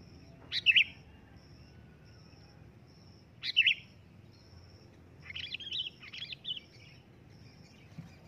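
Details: Loud sooty-headed bulbul calling: two crisp chirps three seconds apart, then a softer jumble of short liquid notes, all over a faint high broken tone and low background noise.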